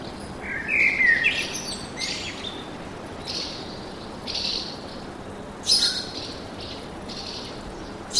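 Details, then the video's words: Forest birds sing a varied, quick series of whistled and twittering notes, some sliding, some buzzy and high, repeated irregularly over a soft steady hiss. "Пение птиц в лесу"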